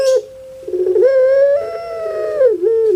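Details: Puter pelung dove kept in Java, Indonesia, its voice compared to a crying baby: a low stuttering start swells into a long, slightly rising wail that dips and ends with a short falling note.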